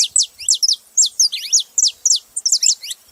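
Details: Several saffron finches chirping together in quick, high, sharply descending notes, delivered in short clusters of two or three with brief gaps between bursts.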